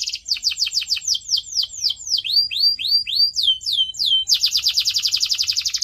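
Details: Canary song played as a training recording for pet birds: rapid series of downward-sweeping whistled notes repeated about four per second, then a fast buzzy trill of high repeated notes at the end.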